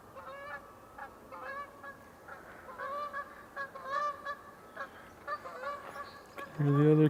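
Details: Canada Geese on a May 1 spring morning at ch'atlich Marsh, British Columbia, a pair probably nesting and one flying in: nasal, slightly rising honks about every half second to second, with a louder, deeper honk close by at the end.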